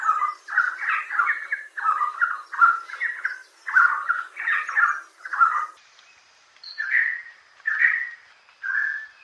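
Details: Red Spurfowl of the Indian Peninsula, the males' rapidly repeated k-or-quack call: harsh, quacking notes in quick runs of two or three, repeated steadily for about six seconds, then a few clearer, higher single notes after a brief pause.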